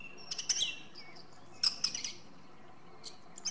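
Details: Song thrush giving brisk high phrases: a clipped bright burst, a pause, then a similar phrase repeated, with faint twittering between.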